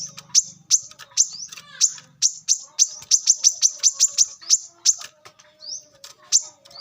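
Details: Brown-throated sunbird in the wild, kept as a lure recording: steady fast high chipping notes, some quick rising slurs, and a low buzzing hum in the background early on.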